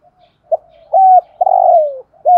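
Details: Spotted dove used as a decoy in Vietnam, voice style "giọng thổ", calling one loud phrase: a brief note, a held flat coo, a long rough coo falling in pitch, and a final short coo.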